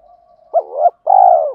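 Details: Spotted dove call used to stir up males and train decoy birds, male and female voices: a faint low hum, then a short doubled coo and a longer hoarse, falling 'gruu' note.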